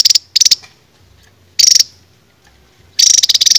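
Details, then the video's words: Songbird on a 2023 masteran training recording for cage birds, an old-style rapid-fire singer: four separate high rattling bursts, the last ones opening with a brief whistled tone, with quiet gaps between. "BURUNG JADUL RAJA TEMBAK MASTERAN"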